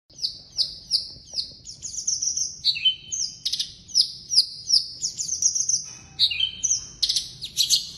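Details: Javan bush lark of the blorok type singing vigorously, a song full of inserted phrases: a run of high downslurred whistles about every half second, then buzzy, scratchy notes and sharp chips without pause.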